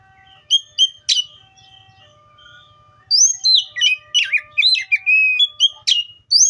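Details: Oriental magpie-robin gives a few scattered chips and a sharp note first. A continuous stretch of rich whistled song follows, rising and falling in quick varied phrases over a faint low hum.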